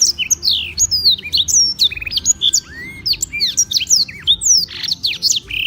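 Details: Black-throated canary in daily full song at Beng, Gianyar, Bali, used as a master for tutoring other birds: a dense, unbroken stream of high whistled sweeps, rising and falling slurs and quick buzzy trills.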